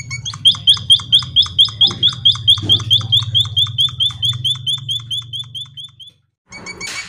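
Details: White-headed munia (emprit kaji) in full, active song: a fast, even run of sharp, high chirps, roughly two each second for six seconds, over a steady low hum, then a short silence and a brief noisier burst.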